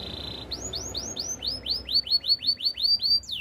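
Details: Canary singing a training song. It opens with a held, steady high whistle, then runs into a rolling series of arched, swooping notes that speed up and grow louder. The series closes with a quick falling slur.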